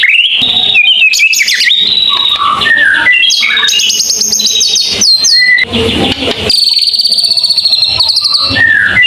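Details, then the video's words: Long-shot song, tembakan panjang, of a white-rumped shama: varied loud phrases of rising whistles, chattering notes, fast high trills and held tones, following one another almost without pause. "mure tembakan panjang"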